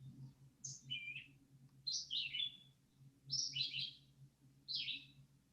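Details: Red-eyed Vireo typical song, Alabama/NW Florida region: short, sweet, moderately full, high phrases, alternately rising and falling, about one every second or so with brief pauses; a low hum underneath.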